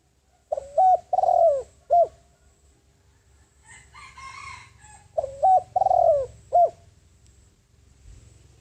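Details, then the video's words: Decoy spotted dove cooing to attract wild doves. Two full phrases, each a short rising note, a sustained coo, a long trembling downslurred coo and a clipped final note, with a soft rustle between them. "Tiếng Chim Cu Gáy Mồi Đất Gáy Gọi Bổi, Chiêu Bổi"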